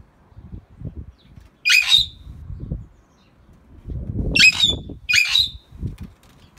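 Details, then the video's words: A pair of talking greater hill mynahs: three loud, harsh, broadband squawks, each ending in a short bright whistled note. Low murmuring and handling noise sit underneath. "Talking greater hill mynah birds"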